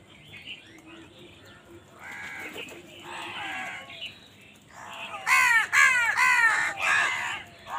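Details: Crows in a village calling in a fast series: about eight harsh, ragged caws in quick succession, building from softer distant calls to loud close ones, roughly two per second at the peak.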